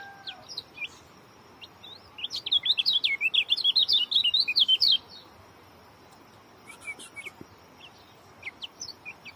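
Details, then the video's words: Oriental white-eye, called kecial kuning, singing a rapid, dense short-speed phrase: about three seconds of quick, high, zigzagging chirps packed tightly together, with scattered softer high notes before and after. "joss rapat.. bikin kecial kuning lain ikut ketar ketir"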